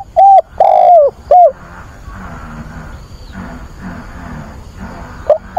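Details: ['Decoy spotted dove calling in search of a mate. One loud phrase of three hooting coos opens, the middle one longest. Then a quieter stretch with soft low sounds, and a new note starting at the end.']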